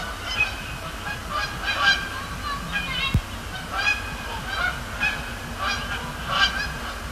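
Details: Flock of Canada geese calling at night at Sapsucker Woods Pond, Cornell Lab of Ornithology, during fly-overs and splash-downs; overlapping nasal honks repeat through the whole stretch above a constant low hum.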